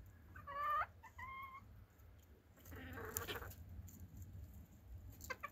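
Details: Chicken uttering two brief harmonic calls in quick succession, the first rising slightly in pitch, followed by a rougher, noisier squawk, over low background hum.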